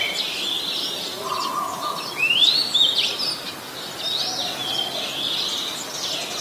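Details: Oriental magpie-robin recorded in Ubon Ratchathani, Thailand, 21 January 2021: a loud rising whistled slur near the middle among softer high warbled notes and a faint lower hum.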